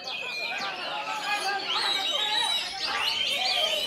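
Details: Oriental magpie-robin competing at a songbird contest in Temanggung pours out a fast, varied run of bright whistles and slurred rising notes, with other birds singing over it and faint voices behind.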